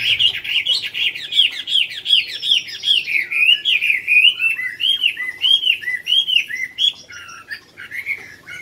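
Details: Competition song of a Chinese hwamei at Mỹ Đình, Vietnam, 19 July 2020: long run of loud, looping whistled notes repeated steadily more than once per second, each slurring up then down, ending with lower varied phrases.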